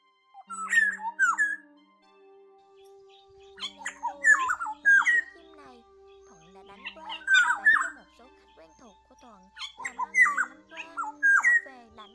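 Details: Oriole flock-calling lure used for net-trapping migrating orioles in Vietnam in August: liquid, fluty whistled phrases rising and falling in three bursts about three seconds apart, over a low, steady, music-like hum.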